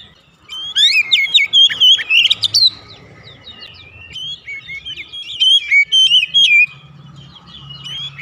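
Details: Oriental magpie-robin song used as a lure to set home-kept magpie-robins singing: two bursts of rich, varied whistled phrases with sharp upslurred notes and quick trills, separated by a quieter pause with faint low hum.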